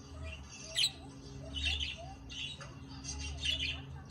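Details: A pet budgie in a miniature dollhouse gives scratchy, warbling chirps in short bursts about once a second.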